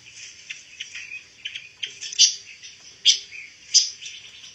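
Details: Pancawarna bird, a songbird kept as tutor material for white-rumped shamas. Soft twittering builds into three loud, sharp high chirps spaced under a second apart, over a low steady hum.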